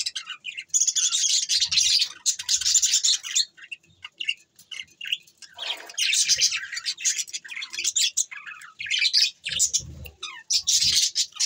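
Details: Pet budgerigars, recorded December 22, 2023, in lively bursts of high warbling chatter and sharp tweets, each burst lasting a second or two, separated by short pauses and faint low knocks.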